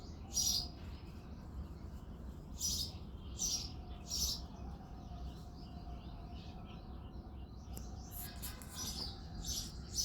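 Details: Male house sparrow on an early February morning, several loud, rasping chirps spaced irregularly, then a softer stretch of chattering and a final cluster of quick chirps, over a low rumbling background.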